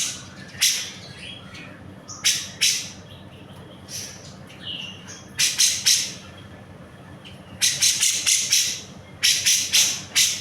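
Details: Grey-cheeked bulbul in full song for songbird tutoring: isolated harsh squawky notes, then tight clusters of four to six rapid rasping notes, with quiet gaps between bursts.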